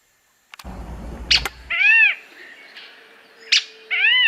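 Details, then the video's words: Squirrel cuckoo giving drawn-out, arched, nasal mewing calls that rise and fall, in two bursts, with sharp clicks and a rumbling handling noise at the start. "ALMA DE GATO canto"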